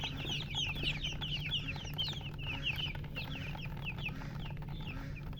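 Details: Young chicks peep loudly and continuously, shrill descending chirps tumbling over one another in quick succession, backed by a low steady hum.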